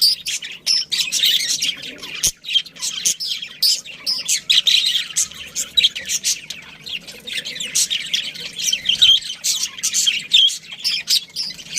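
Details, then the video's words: Colony of pet budgerigars, including a breeding pair, keeping up a dense, nonstop stream of high chirps and twittering warbles with overlapping voices and a brief thud near the start. "Cute Budgies Chirping Sounds"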